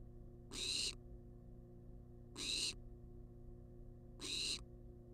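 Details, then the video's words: Hungry wild barn owl at a nest box camera, calling for food with loud snoring hisses, each under half a second, evenly repeated about every two seconds over faint electrical hum. "Barn Owl Demands Food For 14 Minutes Straight"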